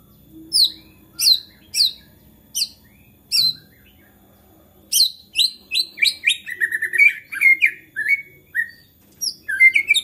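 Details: White-rumped shama in agitated, energetic song meant to provoke other shamas into singing: sharp, high descending notes spaced about half a second apart, then a dense run of varied chirps and whistled phrases.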